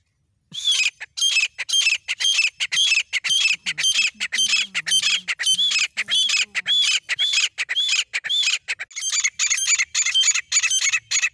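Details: Grey francolin pair, male and female, calling together: harsh, ringing arched notes repeated rapidly and fairly regularly, nearly two per second, for about ten seconds, with a faint low hum partway through.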